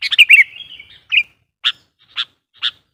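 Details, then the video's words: A sooty-headed bulbul sings to lure wild birds: a rushed, tumbling warble fading into a thin trailing note, followed by four evenly spaced, harsh, buzzy chips about half a second apart. "suara burung KUTILANG GACOR GARUDA bikin emosi kutilang liar"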